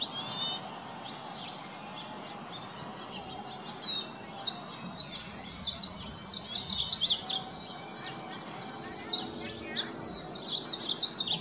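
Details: Around 35 cedar waxwings perched and singing in a bare tree where berries are nearly gone; thin high trilling whistles sound continuously, broken by loud sharp chirps at irregular moments, little low-frequency noise.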